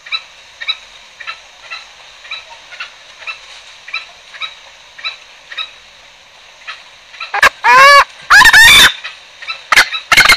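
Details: Green junglefowl trapping lure: faint, regular clucks for seven seconds, then a cluster of loud, arched, harmonic calls and harsh bursts toward the end.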